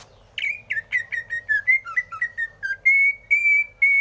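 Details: Song of a greater green leafbird: a quick series of descending slurred whistled notes, each repeated with variations, closing with three long, steady, clear whistles.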